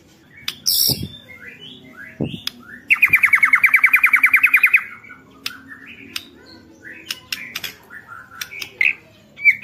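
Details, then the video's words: Caged white-rumped shama song used to provoke rivals: scattered chips and clicks, a two-second rapid even trill of repeated notes, then varied short whistles and sharp ticks. "MURAI BATU GACOR ampuh buat pancingan murai batu agar bunyi"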